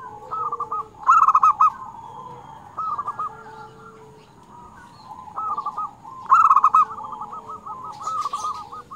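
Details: Local zebra dove giving its lure call to draw in and excite other doves: stuttered coo series building to a loud rolled phrase, repeated twice, with softer trailing coos and a faint lower hum.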